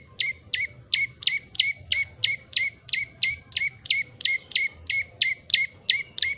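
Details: Steady, unbroken series of about twenty bright chipping notes from an actively singing Yellow-bellied prinia. Each note drops quickly in pitch and trails into a brief level tone, repeated roughly three times a second.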